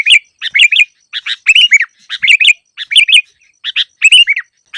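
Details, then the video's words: Sooty-headed bulbul song meant as a lure for trapping quiet birds: lively warbled phrases of bouncing whistled notes, delivered in rapid clusters about every half second, mixed with a few harsh chatters, clean background. "Masteran burung KUTILANG cocok untuk pikat yang malas bunyi"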